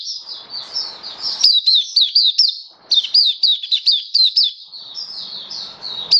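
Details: Oriental white-eye, called mata puteh locally, a hobby bird in full song: rapid, high, sweet warbling of short slurred descending notes in quick bursts. Brief pauses fall near one and a half and three seconds. Faint background hiss.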